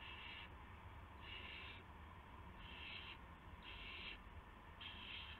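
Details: Owls at night on March 19, 2016, between midnight and 1 AM, as adults bring a gopher and mice to owlets; five harsh, hissing bursts about half a second each, repeated irregularly over a steady low rumble.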